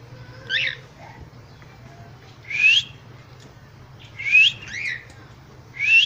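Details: Cockatiel uttering four short upward-slurred whistles roughly every one and a half to two seconds, over a quiet low hum.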